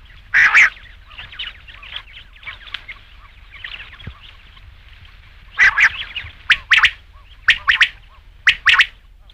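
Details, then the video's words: Faint murmured notes at first, then a rain quail delivers a string of crisp paired calls near the end, each pair about a second apart. "batair ki awaz raat ke liye | rain quail sound"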